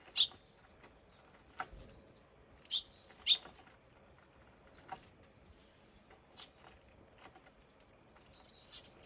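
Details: A wild Eurasian tree sparrow (Passer montanus) on 17 April gives short, sharp chirps at irregular intervals a few seconds apart, with faint background noise; the footage is slow motion.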